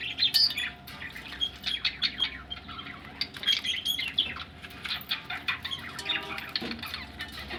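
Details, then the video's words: Budgies ready to lay eggs chirp and chatter steadily in short high bursts, mixed with fluttering wingbeats and light background rustling. "budgies ready for laying egg"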